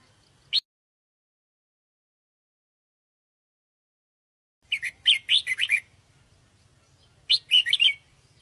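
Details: Sooty-headed bulbul lure call for trapping birds: a single sharp chirp, then after a long silence two bursts of bright, bubbly chirping phrases with a low hum underneath.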